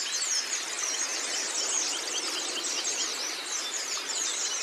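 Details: Oriental white-eye (pleci) in a masteran training recording, also offered for training other cage birds: an unbroken, rapid high twitter of thin chirps and short sweeping whistles, densely overlapping throughout over a steady hiss.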